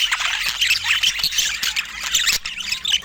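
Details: Budgerigars in Scandinavian natural light making a busy, high, scratchy chatter of squawks and brief whistled notes, calling continuously.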